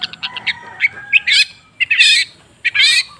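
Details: Long-tailed shrike sound used as a singing lure. A few thin chips and whistles lead into three harsh, grating squawks separated by short pauses.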